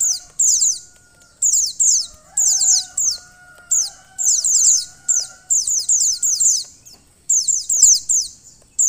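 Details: Calling female white-eye meant to rouse the male: sharp, very high, downward-sweeping notes packed into quick clusters, steadily repeated, with a soft humming tone behind.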